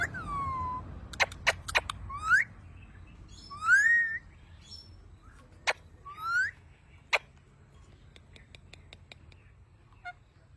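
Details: Talking parrot, known locally as mian mithu, producing sharp clicks and several whistled sweeps, some falling and some rising, spread over ten seconds, with quieter clicking near the end and a low background hum.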